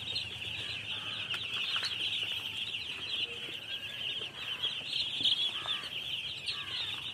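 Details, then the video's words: Baby chicks fill the air with a thick, unbroken chorus of high, piping chirps, some with short rising and falling notes. "Baby Chicks Chirping Sounds"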